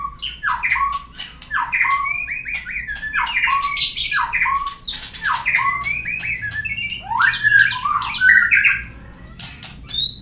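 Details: Lure song of a white-rumped shama, meant to prompt birds to sing: a dense, nonstop run of harsh squawky and whistled notes jumping between pitches, with sharp clicks throughout.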